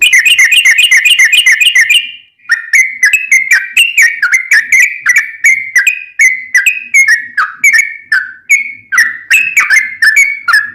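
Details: Long rapid 'ropel' song of a sooty-headed bulbul in fighting style, meant for training caged birds. Opens with a fast, even rattle of notes for two seconds, then continues with spaced, slurred whistles rising and falling.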